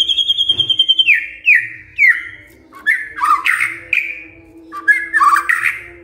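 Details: Shama answering a lure recording with a series of loud, downward-slurred whistles, each repeated about every half second, followed by twisting warbled phrases over a low hum.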